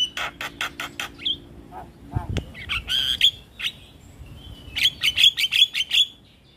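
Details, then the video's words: Javan myna singing nonstop with full fills to provoke a response from lure mynas: rapid rasping pulses, a short thump, whistled chatter, then a bright run of clipped whistles about five per second. "Jalak kebo Gacor Full isian Bikin Jalak Kebo Pikatan cepat Respon"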